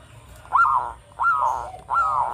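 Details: Melodious local Zebra dove from Java, sung as a lure for other birds: three long, rising-then-falling cooing notes, each sustained about half a second, with a low hum beneath.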